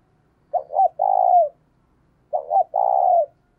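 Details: Decoy spotted dove giving its energetic coo to encourage another dove to start calling. Two phrases, each beginning with two clipped notes and ending in a long mellow coo that drops off, separated by quiet.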